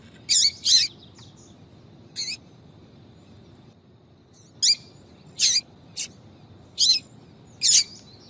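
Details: Female yellow-bellied seedeater calling 'tui tui' to arouse males: a quick pair of sharp chirps, a lone note, then a two-second pause before a livelier run of five high chirps; faint hiss throughout.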